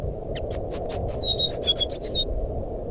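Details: Sikatan rimba flycatcher song played to coax a silent SRDC into singing: about a dozen loud, clear high whistles in quick succession, some falling slightly, with steady low background hum.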